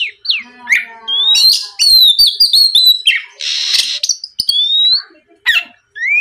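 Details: Oriental magpie-robin singing as a lure to trigger song from other magpie-robins; descending whistles, a rapid twittering run, a harsh rasp and scattered rising chirps.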